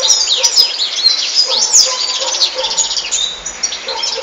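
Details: Loud European goldfinch song made of tumbling high twitters, sliding whistles and buzzy trills, running unbroken, with a few lower notes mixed in.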